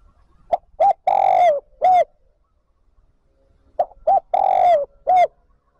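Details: Lure spotted dove calling to draw wild doves into the flock, repeating its phrase twice about three seconds apart: short coo, short coo, long sliding coo, closing short coo, in a quiet setting.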